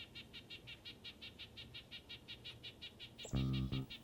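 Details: A male Red-breasted Nuthatch in the north-eastern US sings non-stop, a rapid, steady series of short nasal notes, about six a second, possibly defending a territory or looking for a mate; a low voice breaks in at the end.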